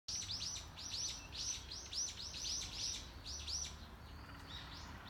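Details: Wild bird singing in the morning, heard but unseen: rapid series of high, bright down-slurred chirps repeated about twice a second, a lull near the end, with a soft low rumble of outdoor background noise.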